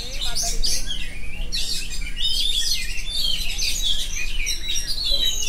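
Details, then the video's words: Long, continuous song of an oriental magpie-robin: dense high twitters, rising whistles and scratchy phrases following one another without a break, over low hum. "kacer phonix ngerol abis"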